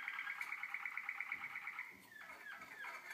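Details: 2012 recording of young Waterslager canaries: a fast, pulsed liquid trill for about two seconds, then a few descending gliding notes and clicks.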